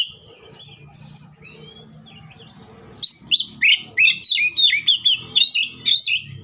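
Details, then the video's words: Oriental magpie-robin (kacer) with a provoking fighting song: soft, quiet warbling with a low hum underneath, then from midway a run of loud, sharply rising and falling whistles repeated about every half second. "KACER GACOR NGEPLONG NGOTOT TARUNG FULL ISIN❗AMPUH BUAT PANCINGAN KACER AGAR BUNYI SEKETIKA EMOSI!"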